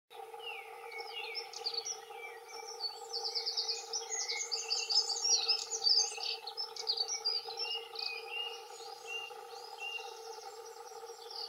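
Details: Two male dunnocks singing territorial song: fast, jumbled high warbling phrases with rapid twittering notes, overlapping and continuous over the whole stretch, louder mid-way; steady low hum beneath.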